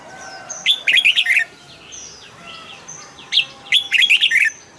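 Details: Two quick warbling phrases from a caged red-whiskered bulbul, each a cluster of sharp, bubbling chirps about a second long. Faint thin whistles from other birds are heard in the gaps.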